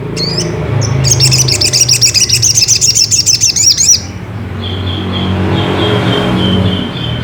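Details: Ruby-cheeked sunbird song meant to goad another bird into singing: a brisk run of high, ticking, upslurred notes for about three seconds, followed by a steady thin whistled tone and low background rumble.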